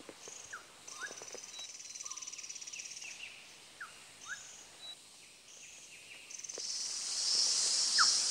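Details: Rusty-naped pitta at Doi Inthanon, Chiang Mai Province, Thailand. Short, rising whistled notes repeat every second or so, set against a steady high insect drone that swells loudly near the end.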